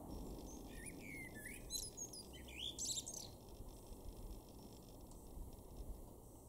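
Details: Male common blackbird singing in a garden in Weener, East Frisia, far northwestern Germany, April 2024: a soft, low fluted warble followed by a squeaky high twitter, faint over steady low background rumble.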